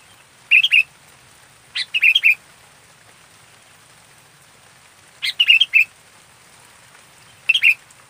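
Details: A local sooty-headed bulbul, fully active, sings short bubbly bursts of three or four quick warbled notes, spaced by pauses of one to three seconds, with a faint low hum behind.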